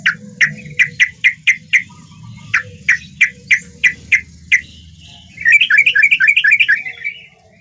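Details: Sooty-headed bulbul singing actively, sounding as in the wild: a series of short, sharp chirps repeated about four per second, then a quick bubbly run of warbled notes near the end, with a soft low rumble underneath.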